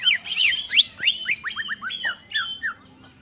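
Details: A greater green leafbird sings a quick run of clear whistled notes, each dropping in pitch, repeated several times a second, opening with a squeaky jumble; soft hum underneath.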